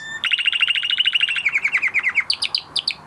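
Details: A canary in training after its moult sings a fast rolling trill of about twenty bright notes, slowing slightly, then jumps to a few higher, sharper chirps.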